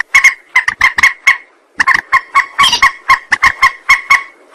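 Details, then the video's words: Rail lure call used for trapping. A rapid chatter of short, harsh, honking notes stops briefly near two seconds. It then resumes as an even stream of clipped nasal notes, about four per second. "Suara pikat burung mandar"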